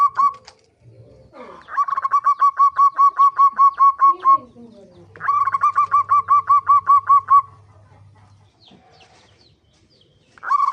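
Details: Lure recording of a zebra dove meant to prompt birds to sing: two long runs of quick repeated rolling coos, with a short sliding call between them and a faint low hum underneath.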